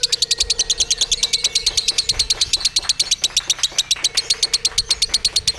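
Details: At a bird singing contest, a hung lovebird keeps up its ngekek, a fast, even stream of shrill buzzing pulses running through the whole stretch, with a faint steady tone beneath.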